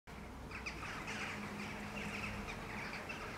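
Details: Several western jackdaws flying over Helsinki, Finland, in July 2013 give short, sharp 'tchak' flight calls, overlapping and repeated irregularly, above a steady low background hum.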